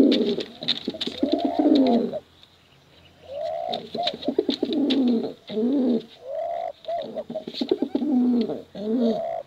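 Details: Male and female pigeons cooing, a recording made for contest birds and for luring young pigeons: low, throaty, rolling coos in rhythmic bursts of about one to two seconds, separated by short pauses, with sharp clicking taps throughout.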